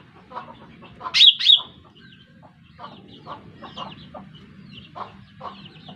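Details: Lesser green leafbird call played as a lure for trapping birds: two sharp, loud high notes in quick succession, followed by soft scattered chips and twitters over a faint low background hum.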